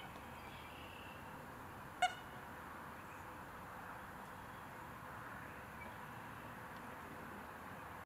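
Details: American coot in Calgary, Alberta, where it is seen only in spring and summer, giving a single short, nasal, horn-like toot about two seconds in, over a steady background hiss of wind or distant traffic.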